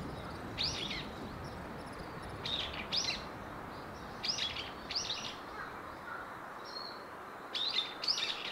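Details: House swifts from a colony of about 200 nesting under rooftop eaves in Surugadai, central Tokyo, give shrill, rapid twittering trills in short paired bursts, roughly every two seconds, over a steady low hum of city noise.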